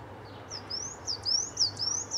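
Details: Mistle thrush family of parents and three juveniles in a garden: a brisk string of about seven high-pitched, rising, squeaky whistles, growing louder toward the end, with soft low hum underneath.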